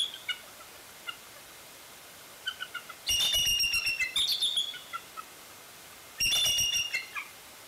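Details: At Fraser Point on 16 February 2019, a bald eagle at the nest gives two loud bursts of high, squealing, piping chatter about three seconds apart, with a few faint scattered chirps before them.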